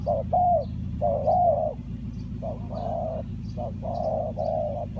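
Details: Spotted dove used to lure wild doves in bird trapping, Ninh Thuận: a run of low, hoarse coos, some drawn out and some clipped, about one per second, over a steady low rumble.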